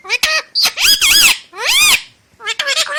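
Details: Indian ringneck parrot talking in Hindi: high, squeaky, speech-like phrases with bending tones come in quick bursts, with a short silent gap near the two-second mark before a final burst.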